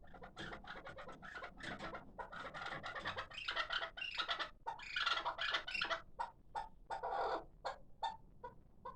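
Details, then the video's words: Hybrid kabk partridge chick of six months, a calling bird, delivers long excited strings of rapid chuck notes with louder rasping bursts, ending in spaced single calls. "Кабки Гибрид"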